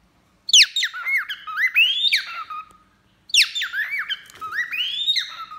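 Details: Male and female cockatiels bathing and singing, two matching warbled phrases about three seconds apart, each a series of swooping whistles rising into a long upslurred note and closing on a flat tone.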